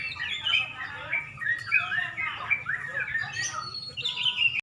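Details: Several sooty-headed bulbuls sing at a Pemalang bird contest as dusk approaches, with busy, tumbling whistled phrases that swell and fade in short bursts. A thin, steady tone runs beneath the calls.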